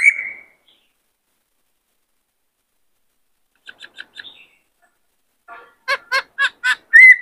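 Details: White-cheeked laughingthrush singing a varied repertoire meant to stimulate males and train new birds: an opening whistle, a long pause, a few soft clipped notes, then a run of sharp repeated chips ending in a clear whistle.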